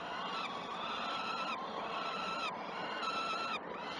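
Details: Begging peregrine falcon chicks at the Great Spirit Bluff nest, live nest camera, 06.20 on 12 June 2018. Gives continuous grating, even-pitched wails broken into pieces about a second long, with wind hiss throughout.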